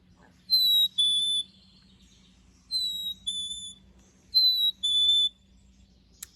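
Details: A recorded Black-capped Chickadee song, the two-note "cheeseburger"-like call, whistled three times about every two seconds, each pure high note followed by a slightly lower one, over a faint low hum.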